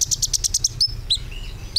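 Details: Brown-throated sunbird (Plain-throated Sunbird), a small, colourful bird with a loud, melodious voice of tropical and subtropical forests of Southeast Asia including Indonesia, giving a quick run of about seven high, sharp chirps in under a second, then thin whistled notes and a brief rising slur.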